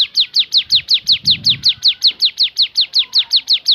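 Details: Rapid 'tembakan' (shooting) variation of a Javan sunbird: a loud, rhythmic string of about twenty piercing, descending notes delivered at an even pace. A brief low rumble comes midway.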